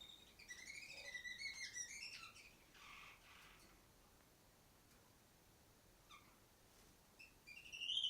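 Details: Chirping song of a female canary perched on top of the farthest cage: bright sliding whistles and quick chirps at the start, a quiet stretch with a few soft notes, then a loud rising whistle at the end.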